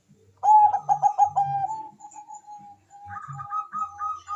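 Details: Bangkok-type zebra dove, a singing bird kept to trigger breeding urge and song in other doves: a fast stuttering run of mellow coos, then a long steady trilled note, then a higher trill; soft low thumps beneath.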